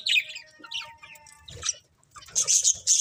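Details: Colourful budgies giving quick high chirps and a few soft warbled notes, ending in a louder burst of sharp twittering.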